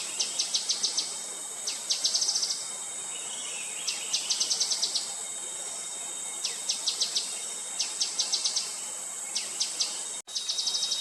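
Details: Gray-headed canary-flycatcher calling: bursts of high, rapid, sharp ticking notes, several clusters spaced a second or so apart, against a constant high-pitched background hiss.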